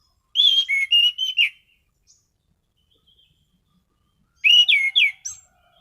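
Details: Caged Orange-headed thrush in strong singing form, delivering a rich run of varied whistled notes, wavering and slurred, followed after a pause by a second quick whistled phrase of rising notes.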